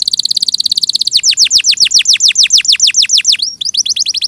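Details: Song of a canary in clear sound: a rapid high buzzy trill for a second, then a long series of loud descending whistled sweeps repeated at an even pace, with a brief break before the sweeps resume.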